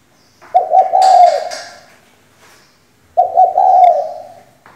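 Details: Female spotted dove kept as a decoy to make males sing, giving two low, hollow, purring coos about two and a half seconds apart, each a steady throaty note lasting over a second, with faint thin bird whistles far behind.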